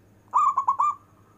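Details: Local zebra dove giving its long-breath performing song for calling lazy zebra doves: a single bubbling coo phrase of four beats with a lingering tail, low steady background hum.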